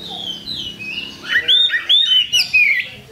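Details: Kacer (Oriental magpie-robin) lure song: soft, distant-sounding whistling, then a loud run of short, clear whistled notes, roughly five in quick succession, some sharply rising or falling.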